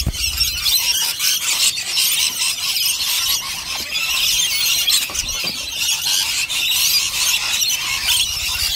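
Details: Rainbow lorikeets, a large flock gathered at lunchtime feeding on two dishes of nectar, keep up a dense, continuous chorus of shrill, high screeching squeals with many overlapping voices, along with brief low thumps and scrapes.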